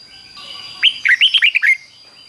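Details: Red-whiskered bulbul giving a 'double' song of the fik-jik-fok style, used to teach young birds to copy. One quick phrase of about six bright, slurred whistled notes, each falling in pitch, over faint background hiss.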